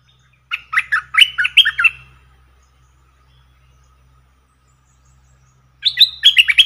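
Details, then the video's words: A caged streak-eared bulbul used as a decoy calls to wild birds with a rapid run of about eight harsh, bubbly chirps, some rising sharply. A pause follows, then a second burst starts. "เสียงต่อนกกรงดอกแตงEp.52 Birds sounds นกต่อ เจ้าแบงค์ นกป่ามายั่วไม่ยอมลง!!Suara merbah lekir 2021"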